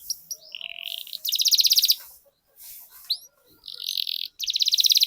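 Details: Canary singing, a recording meant to prompt other canaries to sing and roll: short whistled notes and sweeps alternate with fast pulsed rolling trills, broken by brief pauses, with a faint low hum beneath.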